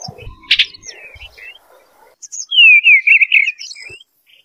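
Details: Eastern bluebird: a few faint clicks and murmurs, then a clear, melodious warbled phrase that rises and falls in soft wavers before fading into quiet twitters.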